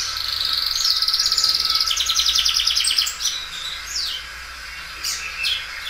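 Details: Belgian canary, a loud singer that stretches its song several times, delivering a long rapid rolling trill for about three seconds, then softer scattered high chirps and slurred whistles.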